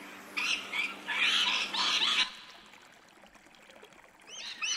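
Rainbow lorikeet giving a burst of harsh, grating screeches for about two seconds, then a quiet pause before a few shorter, thinner chattering notes.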